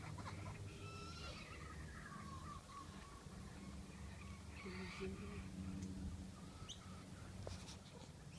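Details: Kookaburra chicks on the Sunshine Coast, Noosa, Queensland, Australia give harsh, ragged squawks in quick, uneven bursts as an adult brings them a lizard, over a steady low rumble of background noise.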